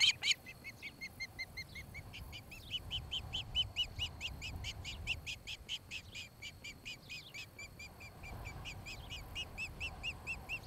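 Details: An osprey at a nest in Charlo, Montana, on 26 July 2018 around 5–6 pm gives a long series of short, high, whistled chirps, about four or five a second, with a pause midway, over a soft wind rumble.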